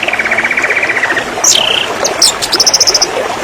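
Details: Canary master song for training birds: a fast buzzy trill at mid pitch, then high whistled slurs and a quick run of sharp repeated notes, with constant background hiss.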